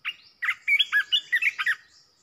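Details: Red-whiskered bulbul singing as a decoy to provoke other bulbuls: a rapid run of six or seven liquid, warbling whistled notes rising and falling, with a faint high twitter behind.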